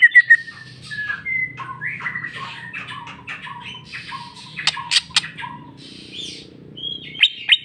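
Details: Greater green leafbird singing its fill repertoire in jamtrok style: a softer mix of slurred whistles, short squawky notes and a couple of sharp high ticks, with a low background hum.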